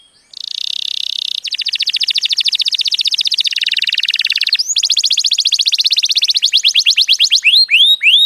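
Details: Canary singing, used to stimulate and teach young canaries: a steady high buzzing roll, then a pulsed trill dropping to a lower rattle, a quicker bright trill, and closing swooping whistled notes that slow toward the end.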